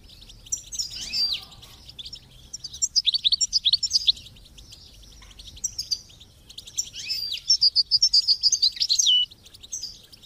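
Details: European goldfinch song with chicks chirping, for encouraging kept goldfinches: long stretches of fast, high twittering with rapid repeated chips and a liquid trilling run near the end.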